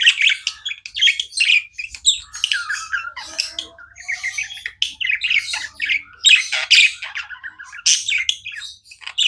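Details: Steady nonstop budgie chatter, many quick raspy chirps and warbled squeaks packed closely together, with a faint low murmur in the room.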